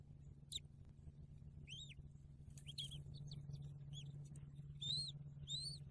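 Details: Bald eagle nest in December 2022, a day after the first eaglet hatched, with parents bringing in fish and feeding the baby: thin, high, squeaky chirps, each rising then falling, in loose groups of one to three over a steady low hum.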